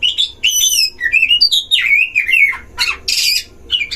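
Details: Oriental magpie-robin from a caged duel in a breeding enclosure, meant to provoke rival magpie-robins. A continuous stream of bright, warbled whistles rising and falling, then a descending slur and two harsh noisy bursts.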